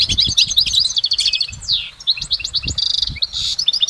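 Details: Goldfinch singing in nature, full and lively: fast high twitters, a downward-slurred note, then a rapid buzzy trill and further chirps, over faint low knocks.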